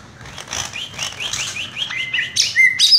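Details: Greater green leafbird (cucak ijo) perched in one spot: a steady series of soft, buzzy rising notes repeated about every quarter second, ending in louder sharp high whistles.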